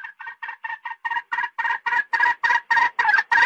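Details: Red junglefowl sound used as a lure to trap male birds: a fast series of about thirteen short clucking notes, roughly four per second, growing steadily louder.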